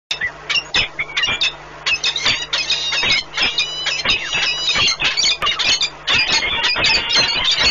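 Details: Pair of peregrine falcons meeting at the nest at Orlen Płock, Poland, on 1 March 2019 during a long bonding encounter: rapid, harsh, high chattering notes pour out almost continuously, stacked with bright harmonics.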